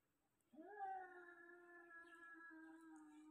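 An African grey parrot imitates a cat with a long, drawn-out, nasal meow.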